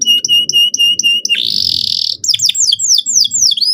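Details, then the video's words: A canary sings to spur young birds into song. Clear repeated high whistles come first, then a harsh buzzy burst, then quick descending swept notes. A low background murmur is present. "PANCINGAN BURUNG KENARI GACOR SEKETIKA BIKIN PAUD NGEROL NGK MAU DIAM"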